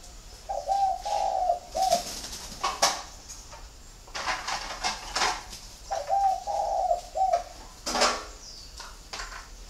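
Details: Caged spotted doves in a northern Vietnam bird garden near Hanoi, giving a three-note coo phrase twice, roughly five seconds apart, among rattling and tapping noises from the enclosure.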